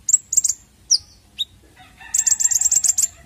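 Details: Bird singing, recorded as lure audio: sharp high chirps and whistled slurs, then a fast run of repeated high, buzzy notes.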